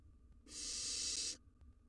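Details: Wild barn owl nestling in a monitored nest box giving a single long, breathy hiss lasting almost a second, against quiet background hum.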